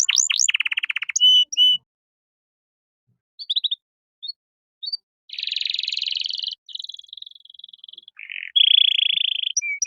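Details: Canary masteran phrase for teaching caged songbirds: a quick rattling trill and short chips, a pause, then scattered notes, a long buzzy rolling phrase, a steady whistled tone and a harsh burst. No other sounds.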